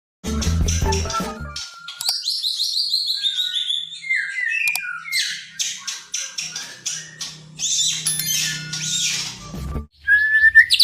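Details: White-rumped shama song, a master recording for stimulating silent shamas to sing. Opens with brief low thumping noise, then a long run of varied whistled phrases: high slurred notes falling in pitch, then buzzy bursts and a short rising whistle at the end.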